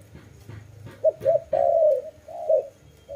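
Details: Single dove phrase of short bubbling notes running into a long, even coo and a softer trailing note, with faint knocks beforehand.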